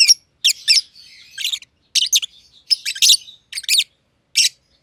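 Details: Companion masked lovebirds, green personata and green pied personata, chirping in their aviary; irregular harsh chirps in twos and threes, with a faint squeaky chatter filling some gaps.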